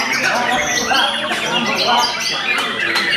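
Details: White-rumped shama singing energetically: rapid, overlapping whistles and slurred phrases mixed with harsh chatter, delivered loudly and continuously.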